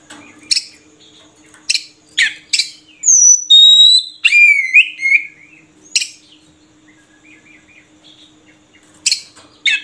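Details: ['Oriental magpie-robin (murai kampung) making scattered short, sharp chip notes, then a loud passage of high, clean whistles and descending slurred notes, before returning to isolated chips.']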